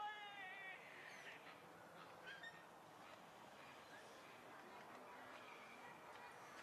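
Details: A Hawaiian goose (Nene, Branta sandvicensis), recorded close up, gives soft, nasal, moaning calls, with a harmonic note at the start and quieter low murmurs after, over a hushed background.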